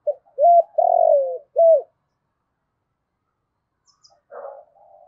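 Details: Spotted dove decoy calling wild birds, with one loud phrase of a short note, a hooked note, a long drawn falling coo and an arched note. After a long silence, softer distant cooing follows.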